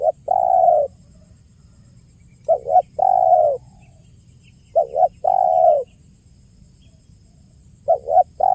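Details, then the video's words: Spotted dove cooing steadily in 'kuk 1' style for luring: repeated phrases of a short doubled note and a long, smooth coo, roughly every two and a half seconds, over faint background hum. "SUARA JERNIH BURUNG TEKUKUR KUK 1 GACOR PALING AMPUH UNTUK PIKAT DAN PANCINGAN"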